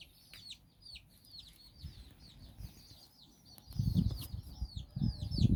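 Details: Hen out walking with nine chicks in Bizkaia, Basque Country. Scattered high peeps slide downward at an uneven pace, while loud low thuds and rumbling bursts rise toward the end.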